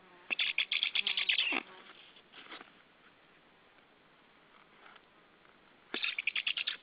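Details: At a white stork nest on a live camera feed, 28 July 2013 around 09:20, a fast rattling series of harsh pulses runs for over a second, then quiet murmurs, then another rattling burst near the end.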